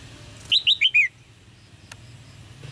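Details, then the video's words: A red-whiskered bulbul chirps to spur males into song, one quick phrase of four bright, clear notes descending in pitch, followed by a faint click and low background murmur. "นกหัวจุก birds - เสียงนกร้องเจี๊ยก ๆ กระตุ้นการขับขานของนกตัวผู้"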